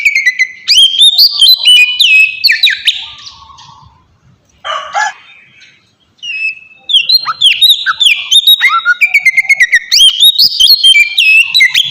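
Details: Oriental magpie-robin singing as bait to draw replies from other birds: bright whistled notes and scratchy phrases, a harsh burst midway, then fast repeated chirping trills after a short silence.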